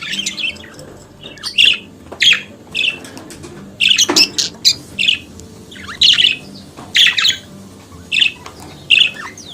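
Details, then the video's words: Australian budgerigar chattering in short separate bursts of bright chirps and squeaky notes, spaced about half a second to a second apart, with quiet gaps between. "Periquito Cantando e Conversando Sonidos de Periquito Australiano"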